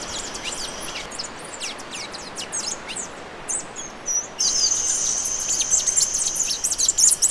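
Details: Bay-headed tanager song: dense streams of very high, thin, sharp notes tumbling quickly one after another. A constant high-pitched drone joins midway.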